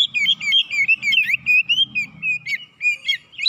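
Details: Oriental magpie-robin lure song used to stir up other birds: rapid, unbroken chattering warble of short whistled notes and quick slurs, about four notes per second, with faint low hum beneath.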